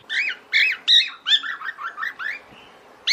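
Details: Female cockatiel calling the male to mate: several loud arched squawky whistles followed by a softer chattering run of lower notes, then one more loud call.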